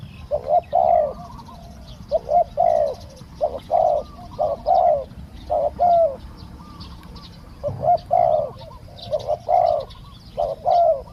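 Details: Spotted dove cooing in a decoy-trapping session to lure a wild bird. Regular phrases of low, hollow coos repeat about every second, each ending in a longer note, with faint small-bird chirps above.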